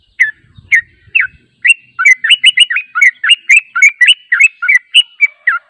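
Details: Yellow-vented bulbul song used as a lure to draw wild birds into responding: a lively run of short bubbly, slurred whistled notes, each rising or falling, repeated almost twice a second, with a few faint low thumps at the start.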